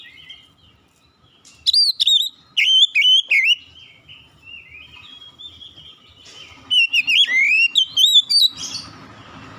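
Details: Singing magpie-robin delivers bursts of sharp, high whistled notes, some steeply rising and some looping, in two lively clusters separated by a quieter, thinner warbling passage, ending in a rough, hissy note.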